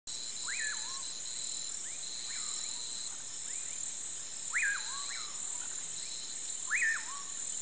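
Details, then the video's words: Common pauraque (bacurau, curiango) singing at sunset in the countryside: whistled notes that rise sharply, then drop and trail off, given every couple of seconds, with fainter answering notes behind and steady high insect and cricket buzzing. "CANTO do BACURAU ao pôr do sol"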